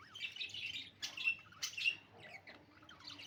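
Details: Budgerigars chirping in the morning: bursts of high, buzzy warbling chatter with sharp rising notes, broken by short gaps, around 100 notes a minute, with a faint low hum behind.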